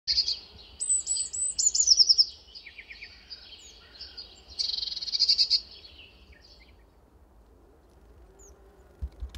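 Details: Eurasian blue tit giving high, thin, rapid chirps and short trills, bursts of tinny notes clustered in the first six seconds, then quiet with faint low rumble.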